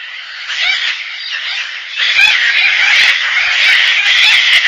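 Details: Gang-gang cockatoo calling with a rough, grinding, drawn-out creak that grows louder and more intense midway and continues almost without a break, with faint clicks in the background.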